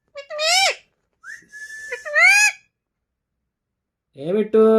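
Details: Green Alexandrine parakeet kept as a talking pet. It gives harsh, harmonic, rising-then-falling voice-like utterances and a short steady whistle. After a pause comes a buzzy, speech-like phrase indoors.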